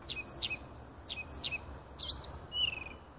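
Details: Woodland nightingale near a house, recorded 30 June 2015, sings a few separated phrases: sharp high sweeping notes repeated three times, then a lower drawn-out whistle, with quiet gaps between.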